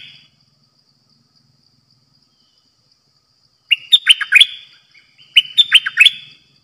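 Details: Decoy bulbul kept in a cage for trapping, 'dok taeng' song style: after a long silence, two lively whistled phrases about a second apart, each a rapid run of four or five loud, slurred, bubbling notes.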